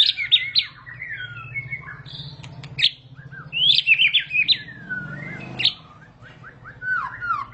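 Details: White-rumped shama singing a long rolling song: rapid, varied whistled phrases, sharp upslurs and descending slurred notes, with brief pauses, over a steady low hum.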